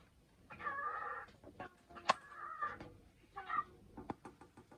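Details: Caged male pet cockatiel chatters while waiting to play as the house is cleaned: soft warbled bursts with raspy harmonics, separated by knocks and clicks.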